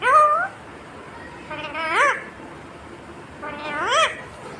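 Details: Indian ringneck parakeet voicing three speech-like phrases, each a rich harmonic sound rising then dipping in pitch, roughly two seconds apart.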